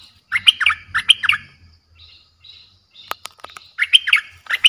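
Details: Fierce Streak-eared bulbul lure song for calling in wild birds. Two bubbly, warbled phrases come early and another returns near the end, over a low hum, with faint chirps between.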